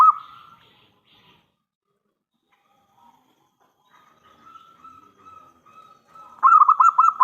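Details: Local zebra dove singing as a lure for other doves: a brief clipped note at the start, a long quiet gap with a faint hum, then one loud, rapid, rolling coo phrase at the close.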